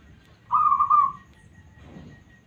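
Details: Local zebra dove (perkutut) with a smooth, answering voice gives a single loud, warbling trilled coo of under a second, followed by quiet background.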